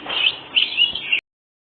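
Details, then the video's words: A white-breasted oriental magpie-robin in vigorous "ngobra" style, used to provoke other birds into answering: about one second of loud, harsh, buzzy rasping notes in quick pulses, cut off abruptly. "Kacer full ngobra satu detik burung bahan langsung nyaut"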